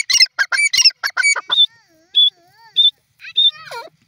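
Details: Grey francolin, known locally as teetar, calling; a run of harsh, ringing notes repeated rapidly for about one and a half seconds, followed by several short clear whistles and a final falling note.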